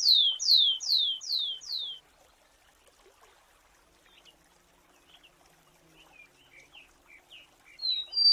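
Rufous-collared sparrow: five clear, high whistles sliding downward, about two per second, then a pause and soft, scattered high chirps.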